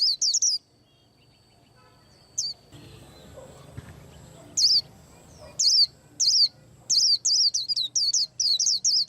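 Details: White-eye singing while preparing to moult: short high twittering bursts come at irregular intervals with quiet gaps and faint background rumble. Near the end they turn into a quick series of chirped notes.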